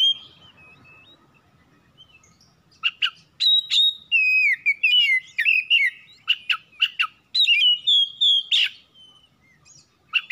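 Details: Oriental magpie-robin kept at home, played to trigger singing at morning, noon or night: loud clear whistled phrases around mid-high pitch with sliding notes and sharp chirps, burst after burst after a quiet opening.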